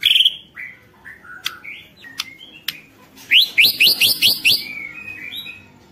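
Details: White-rumped shama in full energetic song, used as a lure to provoke other shamas to sing: varied clear whistles and slurred notes, then a quick run of six sharp rising notes high in pitch.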